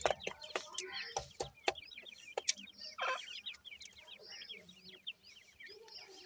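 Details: Several Dakhni teetar francolin chicks chirp with quick, downward-sliding cheeps, fairly soft and overlapping, while loud clicks and bumps come mostly early on.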